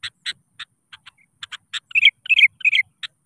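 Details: Sooty-headed bulbul singing to challenge rivals and set other birds singing; irregular sharp clicking notes lead into three quick bright warbled phrases, then more clicks.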